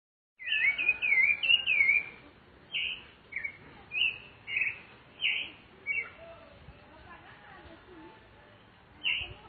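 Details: Rufous-bellied thrush singing in nature: an opening run of quick looping whistled phrases, then separate clear fluting notes spaced about half a second to a second apart, with quiet background.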